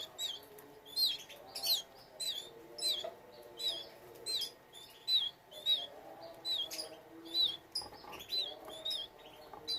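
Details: Kept canary in a breeding setup with young birds, sounding a steady run of sharp, high, bent chirps spaced about half a second apart, with soft low murmuring underneath.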